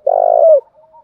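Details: Spotted dove, male and female, cooing used to stimulate birds to coo during training: a single long, low, hoarse coo note lasting about half a second, ending with a short downward slur and faint softer tails.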